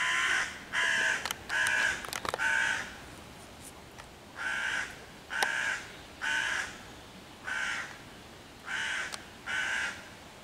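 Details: Loud cawing from a hooded crow mobbing five young raccoons waiting in a tree for their mother, June 2023: about nine harsh, even caws in steady succession, roughly one each second, some sharp taps in between.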